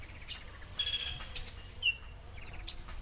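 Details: Konin in 'tembakan kasar' song: a fast, high-pitched rattling trill, a brief pause with a few scattered chips and a short whistle, then the trill starts again, over soft low noise.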